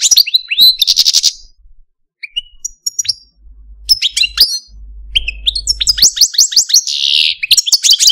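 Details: Caged male Algerian Parva goldfinch, a pet, singing high twittering phrases and a buzzy trill, a quiet gap with scattered chirps, then fast rising slurred notes building into a dense twittering run; soft low hum in the gap.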